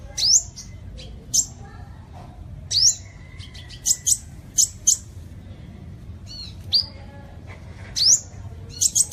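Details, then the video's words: Sunbird song for luring birds: irregular high, thin upslurred notes, some single and some in quick pairs or triplets, separated by pauses of varying length, with a faint low hum behind. "Tiếng Chim Hút Mật 7 Màu || Hút Mật Xác Pháo"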